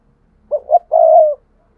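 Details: Spotted dove coo recorded to attract wild doves: one phrase of two short low hoots and a long, even coo, over a faint low background hum.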